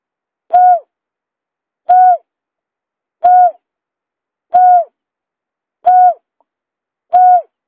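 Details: Lure recording of a buttonquail: six brief, mellow, hooting notes at one steady pitch, repeated regularly about every 1.3 seconds against complete quiet.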